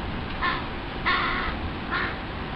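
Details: Young crows begging their parents for food in the family's breeding territory, where the adults now give food only reluctantly. Three harsh, hoarse calls follow one another within about two seconds over a steady background hiss.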